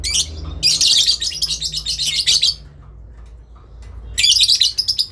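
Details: Adult lovebird giving a long ngekek, answering a rival's calls: an extended run of fast, grating chattering notes, a quiet pause, then another burst of rasping chatter.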